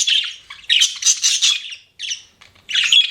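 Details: Short bursts of budgie chatter, bright scratchy warbles in clusters separated by brief pauses, ending in a sharp high whistled note.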